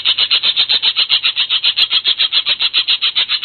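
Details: Blue cucak keling giving a rapid, very regular series of high chirps, close to four per second, repeated steadily throughout.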